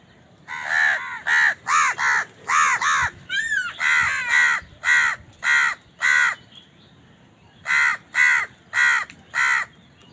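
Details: House crows cawing while eating and fighting over food: a rapid series of harsh, nasal caws in bursts of two to four, roughly two per second, with short pauses between bursts.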